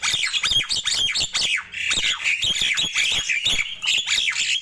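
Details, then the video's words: Nias hill myna calling in the morning: a dense, continuous run of loud, harsh, squawking notes, each a quick rasping burst, repeated several times a second with barely a pause throughout. "Ramainya Kicau Jalak Nias di Pagi Hari"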